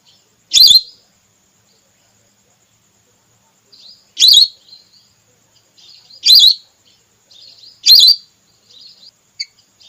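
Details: Female whistling duck, the red belibis type, calling as a hunting lure: four loud, wavering high whistled notes, the first alone and the rest closer together, with quiet soft whistles between.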